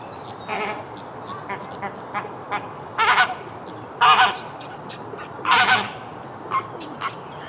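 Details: Rowdy flamingos in a group: loud honking, goose-like calls come in bursts roughly every second, with a few softer calls between them and a hushed background.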